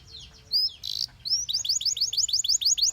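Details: Belgian canary song: a sharp chirp and short buzzy burst, then a steady series of about ten rising whistled notes repeated quickly at high pitch.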